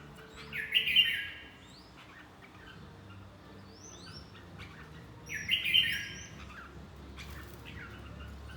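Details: Red-whiskered bulbul in fight training: two loud bursts of bright, chattering whistled notes around one second and five and a half seconds, with faint high thin calls of other birds in between over low background hum.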